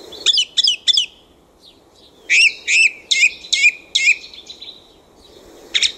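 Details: Night song of a thrush in a back garden, phrases repeated: three quick high notes, a pause, then a run of five similar ringing double notes, with a low steady hum underneath.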